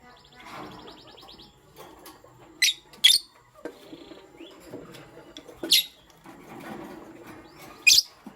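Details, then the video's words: Pet lovebirds, a pastel gray and a green bird, chirping in the morning: a few sharp, harsh bursts spaced a second or more apart, a soft rapid trill early on, and low background murmur between calls. "Pastel Gray LoveBird Chirping Sound"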